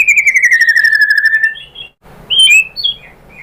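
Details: White-rumped shama used to provoke other shamas to sing: a long trill of rapidly repeated notes slowly falling in pitch, then after a brief gap a few sharp, rising and falling whistled notes.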